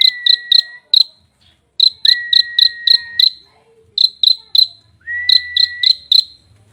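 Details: Prinia in a rich-phrased song: level whistles near one pitch alternating with bursts of four to six sharp, high ticking notes, phrases separated by short pauses.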